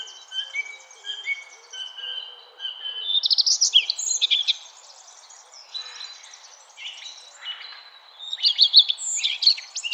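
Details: Forest birds in spring and summer: clear whistled notes at steady pitch early on, then bursts of high sharp chirps and twittering from several birds, with a quiet pause between.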